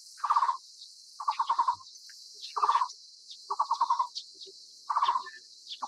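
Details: Taiwan barbet, endemic to Taiwan's low and mid-elevation broadleaf forests, repeating quick rolling bursts of five or six throaty notes, spaced about a second apart, with a continuous high-pitched buzz of insects behind.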